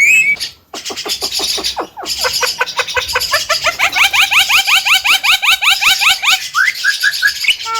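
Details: Javan myna, a chatty young bird hailed as a future champion and said to talk, rattles off a long, steady series of quick downslurred notes, almost three per second, ending in a few rising chirps.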